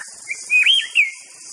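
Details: Short phrase from a White-rumped shama: a few rich whistled notes that swoop up and down, ending in a falling slur, heard over a soft continuous high hiss.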